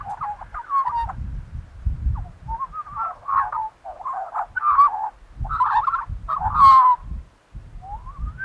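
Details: Australian magpie from Australia giving dense, gurgling, warbled phrases in bursts, with a deep rumbling low sound beneath several of them and a final rising whistled note.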